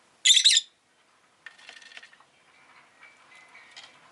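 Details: Companion rosy-faced lovebird letting out one loud, grating squawk-like chirp, followed by faint murmuring chatter and a thin, drawn-out whistled tone at low volume.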